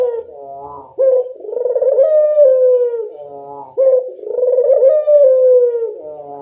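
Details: Local dove, burung puter, used as a lure call to make birds answer: long, mellow, steady coos that fall slightly at the end, separated by short broken rolling notes, repeated about every three seconds.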